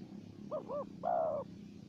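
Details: Spotted dove, part of a sound duel between a decoy and a wild dove. A single phrase of two quick wavering notes ends in a longer mellow coo. Steady low rumbling noise runs in the background.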